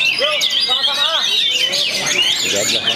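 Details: Singing after the moult, a young Perbaungan-bred Oriental magpie-robin gives loud, bright, high whistles and twisting slurred notes in quick succession, with a few softer lower whistled notes underneath.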